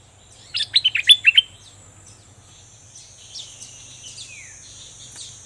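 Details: Caged bulbul with full plumage gives a short rapid burst of bright doubled whistles, followed by faint distant chirps and a thin steady background hiss.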